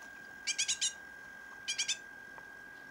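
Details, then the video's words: A rescued fledgling great tit gives two quick bursts of harsh, high, scratchy begging notes, four then three, over a faint steady electrical hum. "great tit chick"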